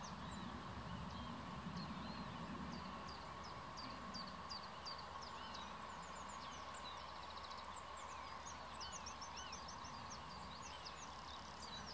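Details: Common reed warbler in reeds along a medieval drainage canal north of Kockengen, Utrecht province, delivering a long, steady chattering stream of sharp high notes, clicks and brief trills, repeated several times a second, over a constant low background hum.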